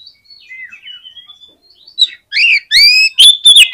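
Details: Oriental magpie-robin song, aimed at getting other magpie-robins to sing fast: quiet warbled whistles at first, swelling into loud, bright upslurred whistles and quick repeated notes.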